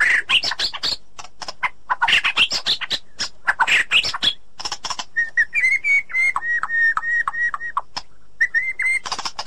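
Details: ['Wild white-rumped shama female calling the male in the forest. Dense, scratchy, mimicking chatter gives way to a long series of clear, evenly pitched whistles repeated at a fast, steady pace.']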